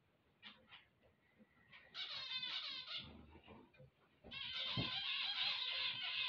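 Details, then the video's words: Zebra finch song on waking. A few soft nasal beeps open, then loud buzzy harmonic phrases run in rapid strings. A faint low thump sounds in the middle. "chant des mandarins"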